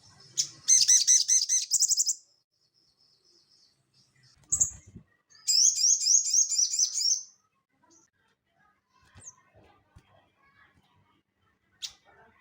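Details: Crested jay singing in the ngeleper style, recorded as training audio for cage birds: two loud, rapid, buzzy rattling trills of repeated looped notes, each about one and a half seconds, separated by quiet gaps and a single sharp note.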